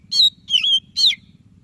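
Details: Energetic white-breasted Oriental magpie-robin song meant to prompt a quiet bird into singing: three loud, clear whistled notes, the middle one long and wavering, against a faint low background hum.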